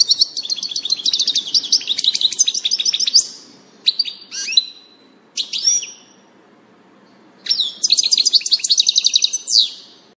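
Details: First European goldfinch of the year, wild, 6 April 2019: rapid jangling twitters and buzzy trills, a gap with a few sharp chips and sweeps, then another fast tinkling burst.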